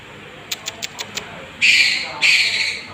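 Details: Young long-tailed shrike used as a provoking lure: six quick faint clicks in a row, then two loud, broad, rasping squawks about half a second apart.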